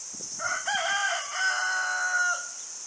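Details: Single rooster crow, drawn out and held for about two seconds over a constant high hissing noise, with a few faint low knocks near the start.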